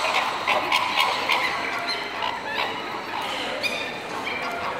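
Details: A flock of greater flamingos gives nasal honking calls at about four per second in an uneven rhythm. Some clearer, higher notes rise above the constant background chatter near the end.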